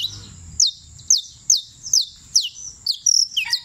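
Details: Champion creole canary from Turbo, Antioquia, singing a series of high, fast downward-sweeping whistled notes about twice a second, ending in a denser run of trills and chips.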